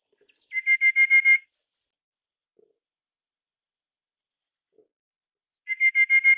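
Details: A Rufous-capped Babbler of the Taiwan-endemic subspecies Stachyris ruficeps praecognita gives two quick runs of seven or eight clear, even piping notes on one pitch, with a faint high insect hiss early on.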